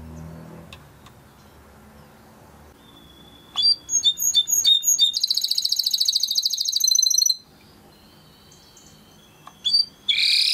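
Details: Timbrado canary singing in a training recording: after quiet room noise, sharp chirps lead into a long, rapid, buzzy rolling trill lasting about three seconds, then a pause and a brief loud burst at the end.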